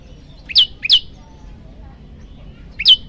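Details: Olive-backed tailorbird song used as training material for other birds: a few loud, high, down-sweeping chip notes, two close together and one after a pause.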